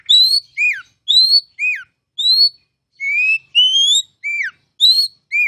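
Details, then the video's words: Oriental magpie-robin song used as pancingan to make other kacer sing: repeated couplets of a rising high whistle and a falling slurred note, broken once by two longer upslurred whistles. "KICAU MASTERAN KACER CALON JUARA!!!"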